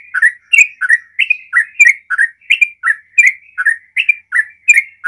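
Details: Yellow-vented bulbul (trucukan) in fast 'ropel' song, used as a lure to make other bulbuls sing: rapid chattering, bubbly notes around mid pitch, delivered without pause at nearly three per second through the whole stretch.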